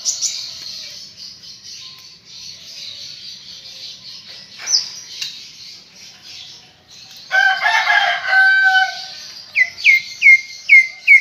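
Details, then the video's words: Greater green leafbird in lively, full song, played to prompt kept birds to sing. A continuous high, scratchy warble gives way to a short burst of harsher, richer notes, then ends with five sharp, downward-sliding whistles in quick succession. "Ocehan Cucak Ijo Gacor untuk Pancingan Bunyi"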